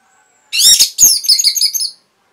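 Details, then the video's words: Orange-headed thrush kept as a cage bird, its lively song used to stir quiet birds to sing, delivers a dense burst of high, squeaky, fast-warbled notes, then a broken string of sharper twittering phrases. "PANCINGAN ANIS MERAH GACOR INI ATASI BURUNG MACET BUNYI"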